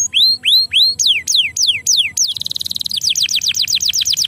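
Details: Domestic canary song meant to prompt reluctant canaries to start singing; rising whistled notes, then strong descending slurs, a brief rattling trill and a fast series of repeated down-slurred whistles.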